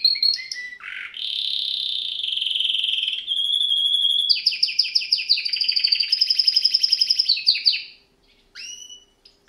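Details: Singing canary delivers a sustained buzzy trill, then a long rapid series of repeated chirps about three a second, ending abruptly with one brief final note after a pause.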